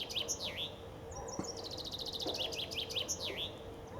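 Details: Springtime common chaffinch among several singing along the Ob River on the outskirts of Novosibirsk, Siberia. Loud downward-sweeping notes, then a fast, even rattle of repeated notes sliding lower into a terminal flourish, with further slurred notes following.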